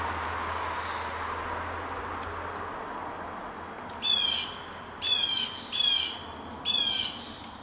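A Barred Owl gives four harsh, raspy screeches about a second apart, each with a thin whistled edge, after several seconds of quiet outdoor hiss and a low hum.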